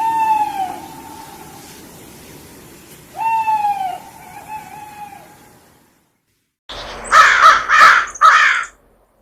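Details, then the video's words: Owl calling twice, each a rich, slightly falling note with a drawn-out fading tail. After a brief silence, harsh, repeated crow-like caws follow near the end. "Owl Sound - Son du Hibou - صوت البومة"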